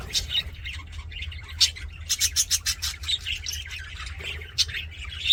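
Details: Cheerful budgies trading chirps, then a fast series of six or seven loud, evenly spaced squeaky notes, followed by more scattered twittering over a low hum.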